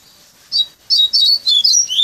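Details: Tutored captive coleiro from Bahia style lineage singing its learned flute-like song: one short whistle, a brief gap, then a string of clear high notes slurring downward in quick succession.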